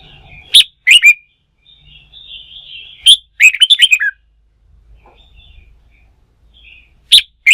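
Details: Captive wild-caught red-whiskered bulbul, roused to sing for fighting-song practice, delivers loud clipped notes and a fast run of five or six bright chirps, with soft wavering warbles in the gaps.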